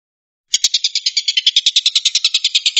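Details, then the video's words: Long-tailed shrike singing in the 'tembakan' style: a rapid, harsh, buzzy chatter of evenly spaced notes, about twenty in just over two seconds, starting abruptly after a brief silence, with no other sounds. "kicau tembakan burung tengkek buto"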